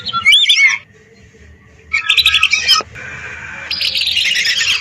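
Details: Lesser whistling duck calls from a lure recording of hundreds of birds: two short bursts of high, twittering whistles separated by a pause, then a steadier run of thin whistles building at the end.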